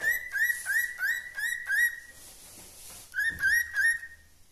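A cockatiel whistles a run of clear, upslurred notes, each swept quickly upward before holding steady.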